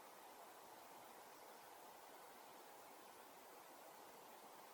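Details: Even, hissing rush like a stream or distant water runs steadily in a forest setting, with no calls or drumming heard.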